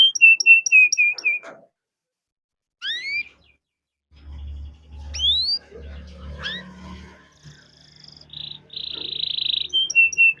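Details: Canary song used to draw other canaries into singing: a run of repeated whistled notes, scattered rising calls, a long gap with low rumbling noise, then a buzzy trill.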